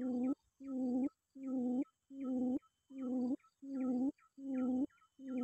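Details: Deep, resonant hoots from a quail summoning a rival, repeated regularly about every three quarters of a second, seven in all, with faint higher notes at each onset.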